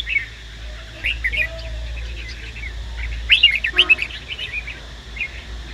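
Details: Red-whiskered bulbul, a male prompted to sing by a female, gives scattered chirpy whistled notes that swell into a brighter, quick warbled burst near the end, over a steady low hum.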